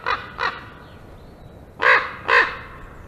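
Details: Two common ravens near a black stork nest on 5 May 2022 around 1:31 PM, seen as a threat to the breeding storks; hoarse croaking calls, two short then two louder drawn-out ones, over faint outdoor background.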